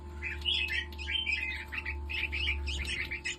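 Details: Hybrid-line red-whiskered bulbuls in Nakhon Si Thammarat, Thailand, awaiting sexing: busy overlapping chirps and short warbled phrases, bright and jumbled, over a steady electrical hum and low rumble.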